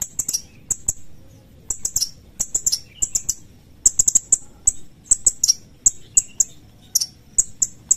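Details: Sooty-headed bulbul calling sharply, high clipped chirps and slurred notes in rapid clusters, almost continuous with short gaps, over a faint low hum.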